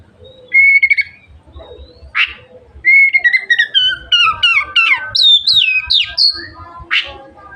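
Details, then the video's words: Oriental magpie-robin song meant to stimulate other magpie-robins to spread their tails: steady whistles, a harsh rasp, then a quick cascade of chirps and swooping high notes ending in another rasp. "suara burung kacer gacor merangsang kacer lain cepat buka ekor"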